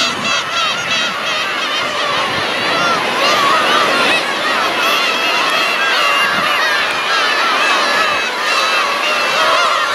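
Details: A huge flock of black-tailed gulls gives a dense chorus of overlapping nasal mewing and honking calls, continuous and loud with no single caller standing out.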